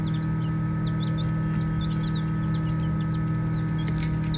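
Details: Several baby chickens peep as they play, with bright, brief descending chirps coming in loose bursts above a constant low mechanical hum.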